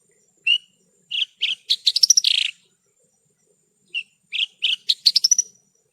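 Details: Branjangan song, Horsfield's bush lark, in an hour of training audio: single chirp, then accelerating chirps into a fast trill, a pause, and the same pattern again, in clean near-silent surroundings.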